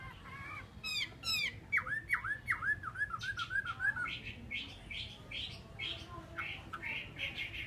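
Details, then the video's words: Chinese hwamei, a kept songbird, opening with quick rattling trills, then a rolling series of looping downslurred whistles, followed by fainter scattered high notes over a background hiss. "chim họa mi"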